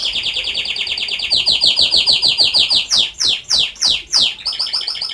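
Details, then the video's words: Canary whistling song: a rapid high trill gives way to slower, separate descending sweeps, then a brief buzzy roll at the end. "Beautiful whistling of canary"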